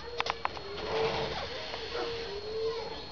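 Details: Satyr tragopan in courtship display, making a few quick clicks followed by low, smooth, drawn-out tonal notes, the later ones held longer and rising slightly.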